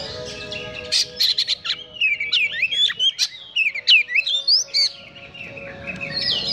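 An Oriental magpie-robin sings a fast, varied run of whistles and harsh, scratchy notes that swoop up and down, with a faint steady hum behind.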